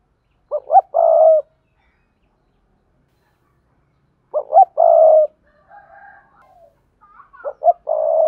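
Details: Spotted dove lure call mixing sa thúc, bowing coos and song: two clipped notes and a long coo, repeated after a pause of about three seconds, then softer wavering coos leading into another phrase.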